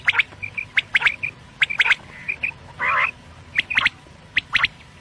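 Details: Night quail calls: quick, sharp paired notes mixed with short, thin whistled pips, and one harsh nasal burst in the middle.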